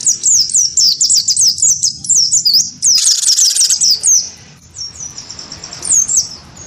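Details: Gelatik batu (great tit) of the wingko type delivering a fighting song against a white-eye; a dense stream of high, bouncing whistled notes, a buzzy burst at three seconds, then fading, sparser notes.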